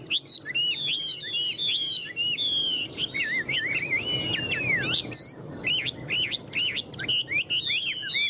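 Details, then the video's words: Chinese hwamei, a tame cage bird that clings to its perch and flicks wings and tail, delivers a dense, rapid medley of high warbled whistles, trills and quick slurred notes without pause. "Họa mi thuần ôm cóng - Chơi cánh đuôi cực đỉnh"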